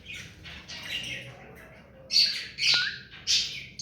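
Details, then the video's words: Hand-tamed rose-ringed parakeet giving soft scratchy chatter at first. Three loud, piercing screeches follow in the last two seconds. "Mithu parrot hand taime and clear sound"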